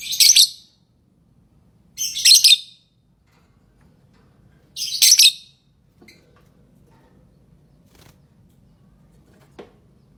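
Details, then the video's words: A lovebird gives three short, shrill, harsh chirps roughly two seconds apart, then falls silent apart from a faint low hum and a few soft clicks. "Love bird singing & chirping sounds"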